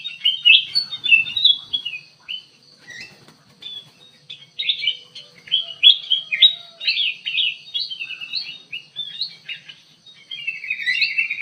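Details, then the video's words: Active song of kutilang emas bulbul inside an aviary, used as a lure: long, busy chattering run of quick whistled and chirping notes, fading briefly mid-way and picking up again. "KUTILANG EMAS GACOR DIDALAM AVIARY"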